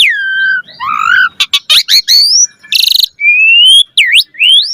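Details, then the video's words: Asian pied starling song: a long falling whistle, a burst of clicking notes, a harsh buzzy rattle, then rising drawn-out whistles and a looping whistled note. "Jalak Suren Gacor Mompa Full Variasi Ocehan"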